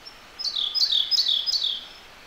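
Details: Wild Siberian blue robin in a gorge, singing nearby: a single quick phrase of four bright, clear notes, each sliding sharply downward, delivered in rapid even succession against a quiet, still background.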